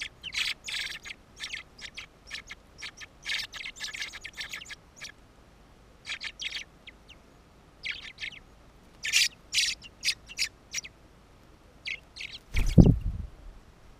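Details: Fieldfare carrying food for its young on Ryazhkov island, 16 June 2014: dry, harsh chattering 'chack' notes in clustered bursts throughout, with a loud low thump near the end over faint background noise.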